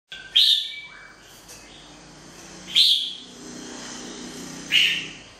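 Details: Wild-caught red-whiskered bulbul giving three separate bright, slurred whistled notes spaced about two seconds apart, each a short high chirp, with quiet background between.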